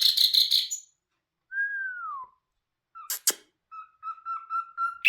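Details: Nightingale known as bulbul hazar dastan: a rapid buzzy burst, then a long pure whistle sliding downward, sharp clicks, and a level, wavering whistled phrase, in a quiet setting.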